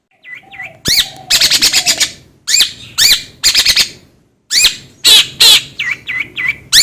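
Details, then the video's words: Long-tailed shrike calling in a varied series: short upslurred whistles, clusters of harsh grating rasps, then more whistled slurs, with a pause in the middle. "DENGAR SUARA INI CENDET JADI ON"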